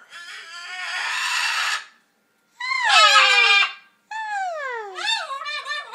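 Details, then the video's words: Macaw trying to copy talking, its mimicry unclear and fuzzy: a long raspy screech, then two harsher bursts with sliding, falling tones. "Macaw talking"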